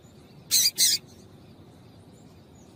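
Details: Female yellow-bellied seedeater (papa-capim) piping to set males singing: two quick, high, scratchy chips in close succession, then another beginning at the end.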